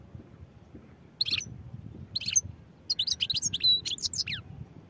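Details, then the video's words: Singing European goldfinch: two short high twitters, then a fast run of tinkling, chattering notes with a few clear whistled tones, over faint low background noise. "goldfinch songs | goldfinch singing"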